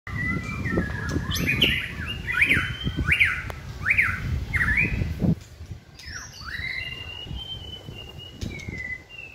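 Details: Caged white-rumped shama hung on a pole during singing training, from Dak Lak, Vietnam; clear whistled notes, several rising and falling slurs repeated in a row, over a low rumbling background noise.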